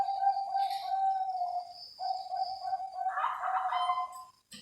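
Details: Zebra dove of the Bangkok breed, kept by breeders for its voice; sustained, purring coos in two phrases, the second ending in a richer, burbling flourish before falling quiet.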